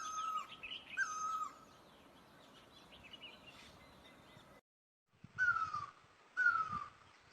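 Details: Asian great barbet calling: a few falling whistled notes, a short break, then two louder downslurred notes, with soft twittering of other birds in the background.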